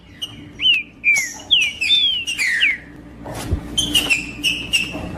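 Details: Green-winged saltator song for heating up a male: a few clear, falling whistled notes in a quick sequence, then a short pause and softer repeated whistles.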